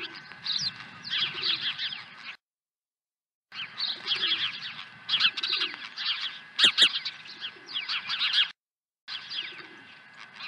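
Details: Osprey at a ranch nest, swooping in with a second fish, in late April; bursts of high, chirping calls in a rapid run, broken by two short silences.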